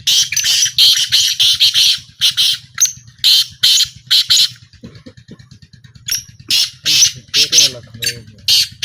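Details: A black francolin at a calling trial calls with a long series of loud, coarse, rasping notes in two bouts, pausing briefly in the middle. A steady low throbbing continues underneath.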